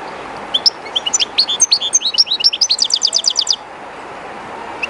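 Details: Captive European goldfinch, somewhat timid in a strange place, singing very close to the current of the river Jerte: a tumbling run of sharp, high twitters ending in a fast even trill, then only the constant hiss of running water.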